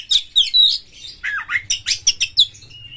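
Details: White-rumped shama singing in captivity as a lure, high whistled notes gliding down, followed by a run of rapid scratchy notes and a final thin whistle.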